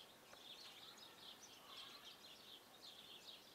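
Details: European goldfinch in Karlovško predmestje, Ljubljana, on 21 January 2024, giving a faint, continuous run of high, tinkling, twittering notes over a soft hiss of background noise.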